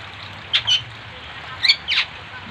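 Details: Mimicking other birds, a Bali myna gives scattered sharp squawks and scratchy high notes, separated by brief pauses.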